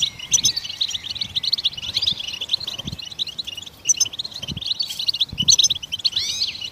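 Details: Goldfinch song meant to stimulate other songbirds to sing: dense, fast twittering of high chirps and short trills, with a few rising slurred whistles, running almost without a break; faint low thumps underneath.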